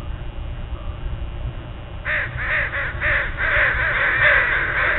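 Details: A group of crows at dawn: after two seconds of low rumble, harsh, hoarse caws start and repeat rapidly, several birds overlapping and growing louder toward the end.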